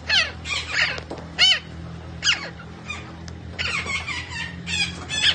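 A parrot gives a rapid string of harsh, squawky, chattering bursts with bright harmonic notes, some rising and falling, a few each second, over a faint low hum.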